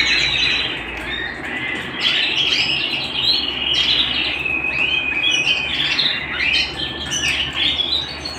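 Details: Home canary in full song, a rich run of whistled slurs and rolling trills shifting between higher and lower phrases without stopping.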